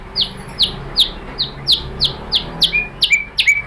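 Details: White-rumped shama (murai batu) lure song to spur other shamas into song: a series of about eight sharp high downslurred notes spaced roughly every half second, ending with lower, flatter whistled notes.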